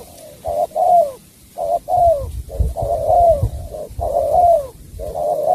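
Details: Spotted dove from Cà Mau giving loud, close coo phrases: a short clipped note then a longer descending coo, repeated about once a second with faint thumps behind.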